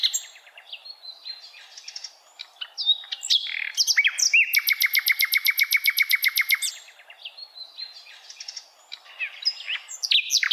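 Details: Free-living hill blue flycatcher singing a mix of twittering notes and a long, rapid, buzzy trill of evenly repeated notes lasting nearly three seconds, then more mixed chirps.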